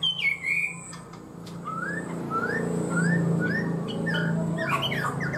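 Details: Caged Chinese hwamei, noted for high, elaborate song and a quick, steady start, gives a loud opening whistle and then a spaced series of short rising whistles about every half second, against a low droning hum.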